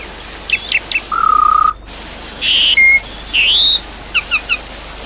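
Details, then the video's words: Jalak suren (Javan pied starling) lure song for a bird that has stopped singing. Sparse, separated sounds: a steady mid-pitched whistle, a rough buzzy burst, a rising slurred whistle and small groups of short high chips. "Therapy Pancingan Jalak Suren Macet Bunyi"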